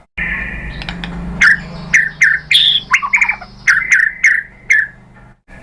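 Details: White-rumped shama, used to prompt captive birds to sing, gives a held harsh note, then short separate clipped whistles and chirps spaced about half a second apart over a low steady hum.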